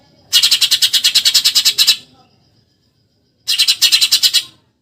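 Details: Eurasian tree sparrow, burung gereja, in a nyerecet tembakan song style: a harsh rapid chattering burst of about sixteen scratchy notes over one and a half seconds, a pause, then a second shorter burst of similar notes.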